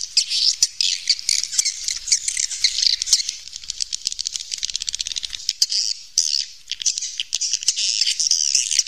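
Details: Natural cave recording of swiftlets: a constant, crowded chatter of high, rapid clicking twitters and short chirps. Some stretches form fast rattling bursts, suggesting many birds calling together.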